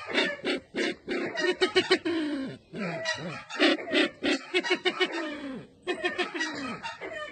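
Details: Sumatran red-eyed bird calling in dense bursts of short, downward-sliding throaty notes, some clipped and some drawn out, separated by a few short silent gaps.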